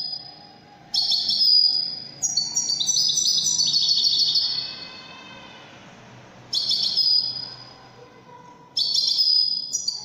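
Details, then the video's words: European goldfinch delivering Widani-style Moroccan song, with twittering and chiming bursts of one to four seconds, the longest trailing off into an echoing fade. "الحسون الويداني الملك الذي يستحق استماع وتمتع في ادائه في التغاريد الويدانية المغربية"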